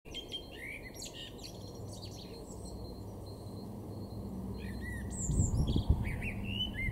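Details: Male Common Blackbird singing in a garden in Weener, East Frisia, Germany, in March 2024: short warbled phrases with high squeaky twitters, loudest near the end, over a steady low rumble of background noise.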